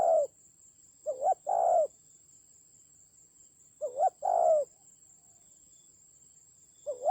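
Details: Decoy spotted dove fighting in the forested mountains of Vietnam's Central Highlands, 19 October 2020: three mellow low coo phrases, a short doubled note swelling into a drawn-out coo, separated by pauses, with a thin constant high-pitched hum.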